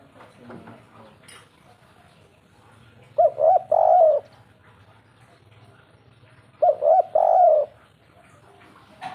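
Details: Zebra dove, locally derkuku, 'kuk 3' style, giving two separate bursts of quick, trilling coos a few seconds apart, each a tight cluster of bubbly, up-and-down notes over quiet background.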